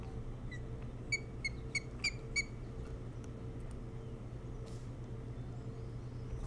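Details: Osprey at its nest on Hog Island near Bremen, Maine, picked up by a nest camera around 4:36 in the morning on 07-03-2018: a quick series of six sharp, whistled chirps, about three per second, over a steady low electrical hum.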